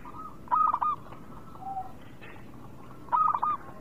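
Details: Zebra dove, local type kept as a lure for birds slow to sing, gives two short clusters of rapid staccato coos over a noisy, hissing background.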